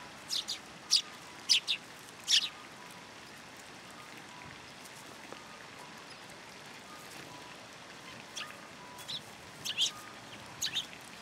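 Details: Several sparrows coming for food at a feeding platform at a shrine, recorded 16 February 2023: bursts of high chirps at the start and again near the end, with a long quiet stretch of background hiss between them.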